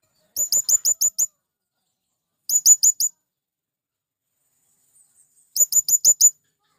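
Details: Male blue-crowned hanging parrot calling to companions to lure wild birds. Three rapid bursts of shrill, high-pitched, clipped notes, six, then four, then six, separated by pauses of a couple of seconds.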